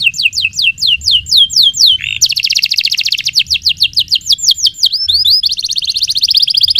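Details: Canary singing a long, varied song meant as a lure for training: fast descending whistled notes, a brief burble, then a dense rolling trill of rapid repeated notes continuing to the end.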